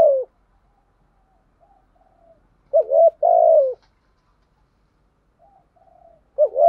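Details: Spotted dove decoy calling to incite rivals, thúc gù style: low hollow coos, one full phrase of quick lead notes and a long sliding coo mid-way, with phrase fragments at both ends and quiet murmurs between.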